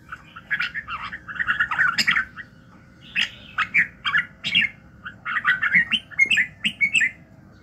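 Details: Red-whiskered bulbul morning song, played to train voices and rouse fighting fire: a dense warbling run, a short pause, then sweet whistled phrases in rapid groups, with a faint steady hum.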